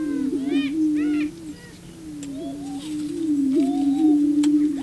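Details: Male prairie chickens courting a female on a booming ground. A low continuous hooting drone is broken by brief rising notes and a few stacked cackles near the start, then a sharp click.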